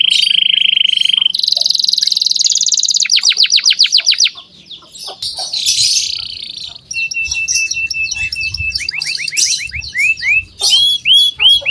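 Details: Long varied canary song played to prompt young canaries: rolling buzzy trills, fast clipped runs, a steady whistled tone and bright falling swoops, with some low rumbling noise partway through.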